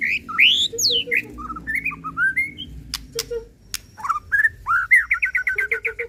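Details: Lure song from a white-rumped shama (murai pastol) intended to excite birds into showing their repertoire: swooping whistles, short varied notes, then a fast rhythmic string of repeated chirps.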